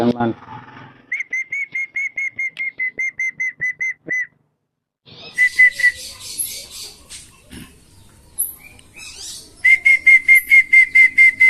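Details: Tame, free-roaming Wandering whistling ducks (Indonesian belibis kembang), called in by their owner to be fed before roaming rice fields, give clear high whistles about two a second, then a busy twittering chorus; a man's voice briefly at start.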